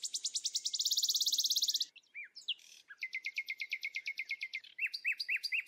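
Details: Red-whiskered bulbul calling: a fast, high buzzy trill, then a run of quick chipping notes and several short, rising-then-falling whistles.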